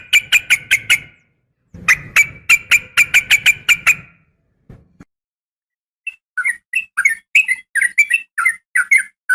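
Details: Female yellow-vented bulbul calling to a male: two runs of sharp, evenly spaced harsh notes, then after a pause a loose series of short bubbly, liquid chirps.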